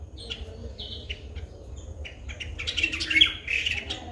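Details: White-bellied drongo (Dicrurus caerulescens) in Sri Lanka giving short, scratchy chirps and whistled notes that loosen into a harsher chattering burst toward the end, over a steady low rumble.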